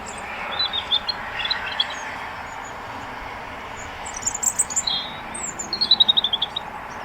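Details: Small flock of juvenile common starlings perched on a wire at Elmley Nature Reserve, Kent, 12 October 2025; thin high chirps scattered over steady background hiss, ending in a quick run of sharp repeated notes.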